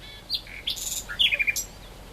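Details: Great reed warbler giving a brief phrase of loud, grating chirps and harsh notes in quick succession, with little background sound.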